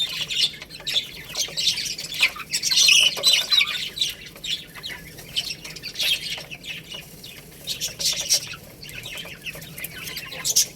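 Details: Little chicks eat rice while calling in busy, high-pitched chirps, loudest in the early seconds, mixed with rapid ticking sounds from pecking.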